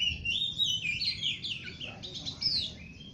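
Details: Sweet, continuous warbling song of an oriental magpie-robin, a run of slurred, twisting whistles without breaks, set against constant low-pitched background noise.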